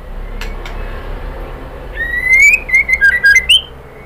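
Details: White-rumped shama female calling for a male, a long rising whistle followed by quick stepped warbling notes and a few sharp high ticks, after a quiet start.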